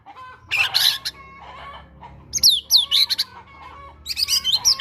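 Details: Caged white-rumped shama singing to prompt another bird, its song carrying Java sparrow mimicry; harsh noisy bursts mixed with sharp falling whistles in irregular groups.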